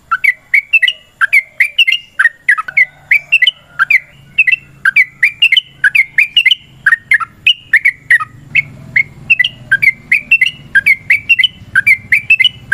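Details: An extended fighting song of a yellow-vented bulbul, used to goad other birds into answering: a steady, fast flow of chattering, liquid slurred notes lasting throughout, with low rumbling noise in the latter half.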